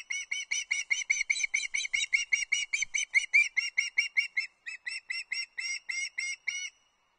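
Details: Young osprey on the Loch Arkaig nest in late August 2022, begging its father for fish: steady run of shrill, piping chirps, roughly two to three per second, slowing and spacing out before stopping.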